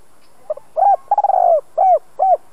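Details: Spotted dove singing a fine two-ending voice for training decoy birds: faint short note, a long hollow coo, a fast trembling series that drops in pitch, and two closing coos; no other sounds.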